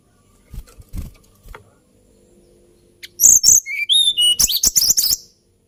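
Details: After faint soft knocks, a hill blue flycatcher bursts into high, sweet song: bright whistled notes, a few lower slurred whistles, then a quick stuttering series of sharp high chips.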